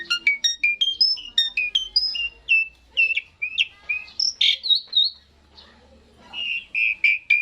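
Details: Asian pied starling song for encouraging birds to sing: a quick series of short whistled notes repeated at a steady beat, then louder buzzy notes and a closing run of clear whistles.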